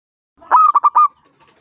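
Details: Loud local Indonesian zebra dove, five years old, singing to draw other doves into song: a quick run of four ringing, tonal coos, the final one drawn out, followed by a few faint ticking sounds.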